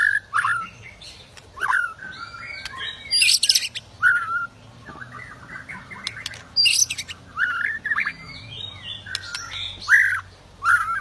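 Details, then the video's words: Aggressive white-rumped shama, meant to provoke rival shamas into song and fighting: scattered harsh squawky bursts and short slurred whistles separated by brief pauses, softer than the full song. "Murai Batu Ngamuk Rekomended untuk Pancing MB lain ikut Gacor + Fighter"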